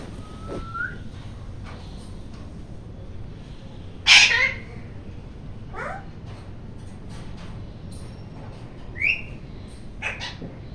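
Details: Rose-ringed parakeet, described as noisy, letting out one loud rasping screech midway, followed by softer short squawks and a brief level whistle early on, against faint background hiss.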